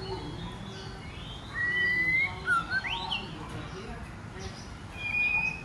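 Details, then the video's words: Female white-rumped shama singing to provoke males into singing and fighting: a few clear whistled notes near the same pitch, one sliding upward, spaced over several seconds against a steady low background hum. "CHOÈ LỬA MÁI KÍCH TRỐNG TẠCH + HÓT muraI betina fighter, murai jatan auto ngamuk."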